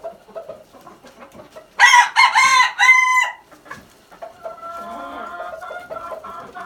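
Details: Crow of a red junglefowl, a loud raspy burst of roughly three connected syllables lasting over a second, with quieter chirping birds before it and a steady whistled birdcall afterward.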